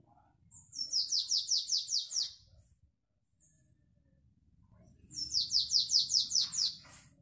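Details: Canary singing in the classic Belgian song style; two long rolling trills of rapid, evenly spaced high notes, each about a second and a half, separated by a quiet pause, with a faint low rumble in the background.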